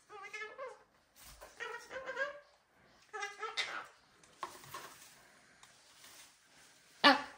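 A cockatoo gives several short, nasal, speech-like phrases in quick bursts, then ends with one sharp, harsh squawk; the room is otherwise quiet.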